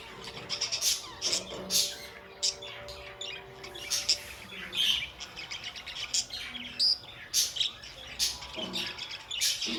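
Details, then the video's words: Lively budgerigar chatter: many sharp, clicking chirps and warbled squeaks repeated in quick succession, with faint lower murmurs underneath. "budgie sounds"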